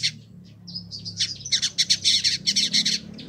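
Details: Village indigobird, a caged bird kept for a year in Bandung, Indonesia, used as a song tutor: dense, buzzy chattering of rapid high notes after a drawn-out rasping phrase, over a low indoor hum.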